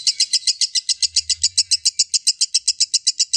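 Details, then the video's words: Lovebird ngekek, a long chattering song used as a lure to draw other lovebirds into singing long; rapid, regular shrill chirps repeated about four times a second, steady throughout. "pancingan lovebird agar ngekek"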